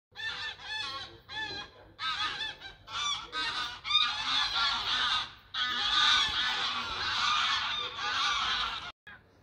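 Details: A flock of ducks in flight calls together in a dense overlapping chorus of harsh, nasal honks and quacks, running almost continuously with brief pauses; duck.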